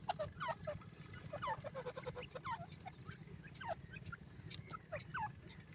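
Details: Grey francolin chick dust-bathing in soft sand gives short, high, downward-slurred peeps in quick irregular bursts, with sharp scratching clicks and a steady low hum underneath.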